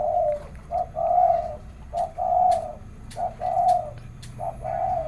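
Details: Caged doves cooing against each other in the morning, low mellow phrases of a short note then a longer rolling coo, repeated roughly every second, with sharp clicks between.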